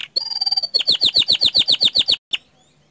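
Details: Bottle-green canary delivering a powerful burst: a brief high whistle followed by about twelve evenly spaced, loud downslurred chips at roughly seven per second, then a single closing note.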